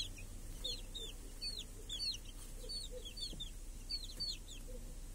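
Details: Hens with chicks feeding under a protective cage in a village on a clear summer day. Bright, high, downward-curving chick peeps repeat quickly in clusters, with soft low clucking from the hens beneath and a light background hum.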